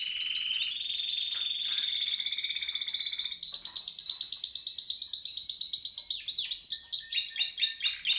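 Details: Spanish Timbrado canary of 2017 with a smooth, bell-like sustained trill at middle pitch that jumps to a higher rapid rattle, then ends in a run of separate dropping notes.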